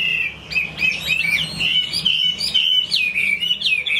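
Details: Hwamei song of bright, rich whistles, each note swooping up or down, delivered in a lively continuous flow at about two notes per second.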